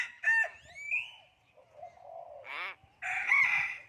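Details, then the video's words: Common hill myna speaking human language: a nasal, voice-like syllable, a rising whistle, low murmuring, then a buzzy sliding note and a loud, harsh, sustained final word. "common hill myna speaking human language"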